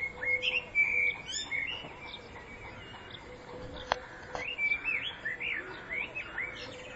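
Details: Common blackbird song recorded in spring 2014: sustained clear whistles, then looping, slurred fluted notes with squeaky high ends in quick succession, and a single sharp click midway.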